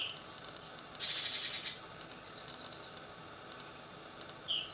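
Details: Fledgling great tits, second brood, departing a balcony nest box at 7 am; a longer grating, buzzy call of under a second, a weaker echo of it, then brief high chirps at the end.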